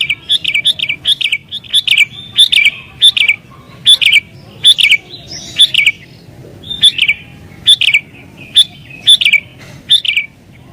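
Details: Sooty-headed bulbul, agitated and pressing a rival, used to lure wild bulbuls: short bright chirped phrases around a dipping note, repeated roughly every half second to second, with a faint low hum beneath.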